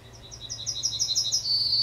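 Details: A Yellowhammer sings at the edge of Kabaty Forest. A rhythmic chain of short high notes grows louder and faster, then merges into a long, steady, ringing final note.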